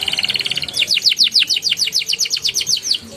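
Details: A canary sings, a recording for coaxing young birds into song. A short buzzy roll gives way to a fast series of about twenty downslurred chirps, steadily repeated at a brisk pace.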